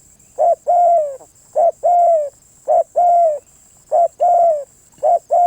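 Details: Repeated cooing of a spotted dove: each unit a short coo then a longer, gently falling coo, given roughly once per second in a steady rhythm, with a faint high whine throughout.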